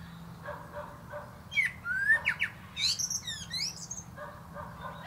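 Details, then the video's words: A common blackbird sings from the top of a plum tree, giving a mellow rising whistle and short warbled notes, then a burst of high thin twittering, over a steady low background hum. "Song of Songs"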